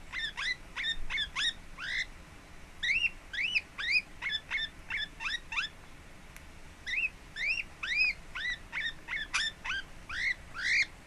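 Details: Lineolated parakeet kept as a pet, calm and relaxed at home, recorded 26 April 2017: repeated arched, bouncy chirps in quick clusters of two to four, separated by brief pauses, in a quiet room.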